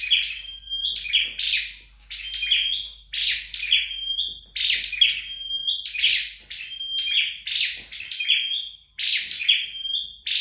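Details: Red-headed flowerpecker trained at home, singing repeated phrases about once a second: a rough, buzzy high burst that settles into a thin, steady whistled note, with short gaps between phrases.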